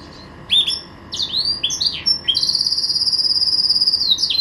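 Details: Caged green canary kept as a pet: varied high slurred phrases followed by a long fast trill that runs to the end.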